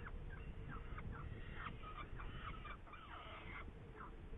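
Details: Hungarian Saker falcon, May 2019, uttering hoarse, slurred call notes that rise and fall, clustered in short irregular series with brief gaps, against persistent low-pitched background hum.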